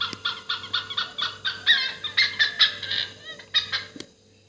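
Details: Great hornbill (dhanesh sorai) in Assam giving loud, hoarse, nasal honks at an uneven pace, some rising and wavering, before stopping near the end.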